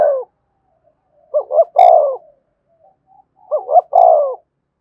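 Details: Decoy spotted dove cooing to excite a newly caught caged bird: the end of one phrase, then two clear phrases of two short rising hoots and a long descending coo, about two seconds apart, in quiet surroundings.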